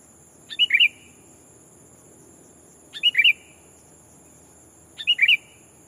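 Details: Decoy sooty-headed bulbul calling out a rival to attract wild bulbuls, repeating a short bubbly phrase of three or four bright notes about every two seconds, three times, over a faint constant high hum.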